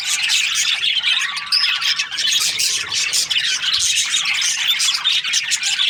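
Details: Budgies, Australian parrots housed as breeding pairs, fill the air with constant high chirping and warbling, with a brief clear whistle standing out early on.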